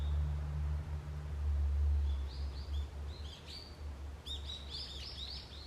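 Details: Forest birds on an early autumn morning: soft whistled notes give way to a lively cluster of bright, rapidly repeated chirps near the end, over a strong low droning rumble.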